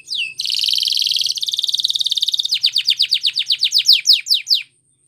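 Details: Spanish Timbrado canary singing for training purposes: a falling whistle, a rapid bell-like rolling trill, then a series of sharp downward sweeps that slow toward the end before silence.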